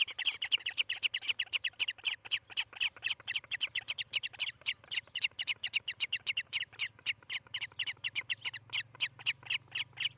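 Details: Osprey from a pair nesting in Charlo, Montana, recorded by nest camera one July 2018 morning: an excited, rapid chatter of high whistled chirps, nearly six per second, sustained for ten seconds, with a soft background hum.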